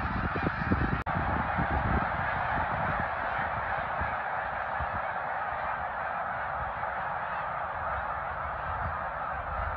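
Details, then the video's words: Many snow geese calling together at Middle Creek, 2022, a constant dense chorus of overlapping honks with no single voice standing out, steady in loudness throughout, over low rumbling background noise. "Middle Creek snow geese 2022"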